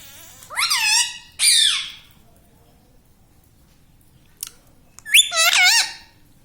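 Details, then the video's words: Pet ringneck parrot, kept indoors, calling in a small room: three loud squawky phrases with rising and falling tonal bends, separated by pauses of quiet room noise. "bolne vala parrot || parrot talking everything"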